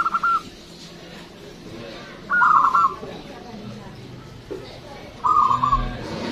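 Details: Local Zebra dove with a loud, long song, used to draw in other birds: three short bursts of vibrating coos spaced about two and a half seconds apart against soft background noise.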